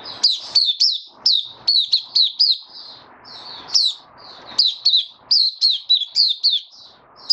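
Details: Pet white-eye singing in humid warm weather, 23 March 2022: sharp, high, down-slurred chirps strung in rapid sequences, with clicking onsets and soft muffled background hiss between phrases.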